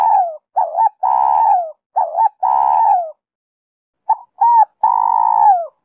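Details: Spotted dove song in the 'Giọng Kim 2 hậu' style, used as a lure to prompt wild doves to coo and approach: low, mellow coos, each phrase a short double note then a long falling coo, with a pause midway. Background quiet.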